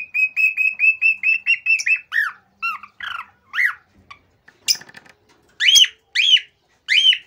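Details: Cockatiel; song; male song to stimulate mating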